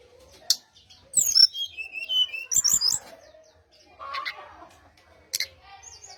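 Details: Brown-chested jungle flycatcher song meant to draw replies from other birds: scattered bursts of high twittering and sliding whistles, broken by sharp clicks and short pauses.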